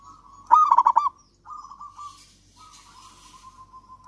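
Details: Javan zebra dove, a local bird in eager song for prompting lazy doves: one loud run of quick, rounded coos, then long soft trilling with a patch of hissy rustle, and a new phrase beginning at the end.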